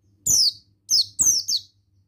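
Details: Male Oriental white-eye (Zosterops palpebrosus) song: four quick, high, descending whistled phrases over about a second and a half, each sliding down sharply.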